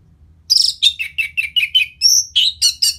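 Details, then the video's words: Orange-headed thrush song from North Bali, Singaraja, played as a lure to make a bird more aggressive after moulting: a rapid run of about eight bright, downslurred notes, then high whistled and squeaky phrases, clear over faint low hum. "Pancingan Suara Burung ANIS MERAH Pasca Mabung"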